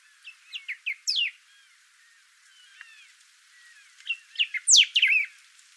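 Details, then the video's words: Thick-billed saltator, also called bico-grosso or trinca-ferro, singing two bursts of bright whistled phrases with rising and falling slurred notes. A quiet gap sits between the bursts, and the second burst ends in a loud sweeping whistle. "Canto do Bico grosso saltador"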